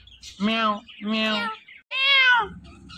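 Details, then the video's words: Indian ringneck parrot repeating three drawn-out, meow-like spoken syllables, each lasting about half a second and separated by short pauses, ending in a softer scrap of sound. "So Much Speaking Parrot Talking"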